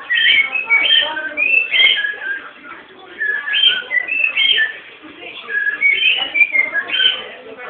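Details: Captive-bred pet cockatiel whistling a song of bright, warbling phrases that rise and fall, delivered in bursts of about two seconds with short pauses between them, over a faint background hum.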